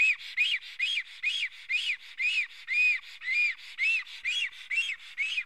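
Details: An agitated male Black stork at the nest in Karula, Estonia, filmed by a live camera on 19 May 2017 with hatching near and an intruder close by, gives rapid rising-falling whistles, roughly two per second, a dozen in succession.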